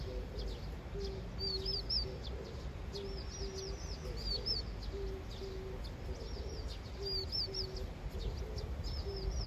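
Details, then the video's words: Playful young vinous-throated parrotbill, chattering often as if rehearsing its adult serenade; short clusters of high quick chirps recur every few seconds, while a low drawn-out cooing from another bird repeats underneath and background rumble persists. "오목눈이 수다쟁이"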